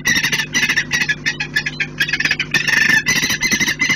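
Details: Saker falcons defending their nest with growing intensity and desperation, recorded 11 January 2018: loud, harsh, rapidly repeated screaming calls in dense bursts, with a steady low electrical hum underneath.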